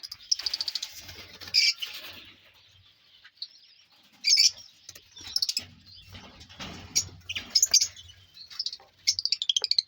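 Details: Ringed lovebirds in a new aviary colony: continuous shrill, high chattering and sharp chirps from several birds, in loud bursts with short lulls and a low rumble beneath.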